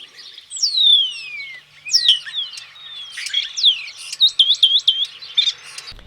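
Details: A Common Starling, a virtuoso singer in spring breeding plumage that often mimics other birds and phones, chatters in a rapid, high-pitched medley of long falling whistles, squeaks and a quick run of looping, clicking notes, in the city of Neuchâtel.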